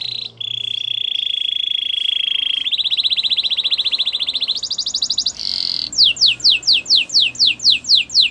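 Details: Song of a Gloster canary, opening with long steady buzzy rolls that step up in pitch through several tours, then a clear run of rapid downward-slurred whistles repeated evenly.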